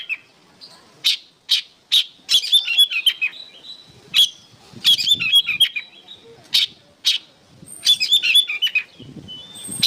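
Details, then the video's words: Songbird training recording of an oriental magpie-robin: repeated sharp chips and rapid twittered phrases in irregular bursts, with pauses between groups and a soft low rustle near the end. "MASTERAN BURUNG KACER GACOR"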